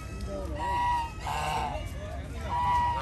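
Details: Flock of geese wandering around a park, giving nasal honks in two bursts with a brief loud noise between them; a person speaks nearby.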